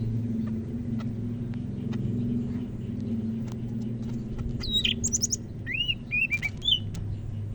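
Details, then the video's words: Greater green leafbird of the Medan type from North Sumatra, singing actively: after a quiet stretch, a burst of high slurred whistles and sharp chirps, some rising and falling, over a steady low hum. "Burung Cak Ijo Medan Gacor"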